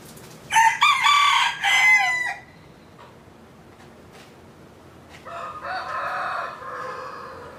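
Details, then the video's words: Chicken crowing: a loud, harmonic, strained crow lasting about two seconds with stepped pitch, then a second, quieter and hoarser crow after a pause. "Chicken's sound!"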